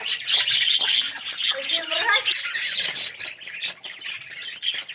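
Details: Many yellow red-eyed budgerigars chattering in an aviary colony; busy, overlapping high twitters and harsh squawks, with a short burst of lower warbled notes midway.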